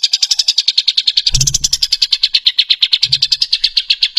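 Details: Fast raspy high bird notes, several per second, from a compilation of 'tembakan kasar' tutor calls for cage songbirds, with two low dull thumps in the background.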